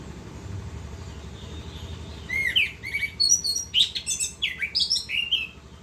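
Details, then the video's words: Orange-headed thrush in rolling gacor song: a quiet opening, then a rapid stream of mixed whistles, upslurred chirps and buzzy high notes for about three seconds, tapering off, with low background hum. "Anis kembang gacor ngerol"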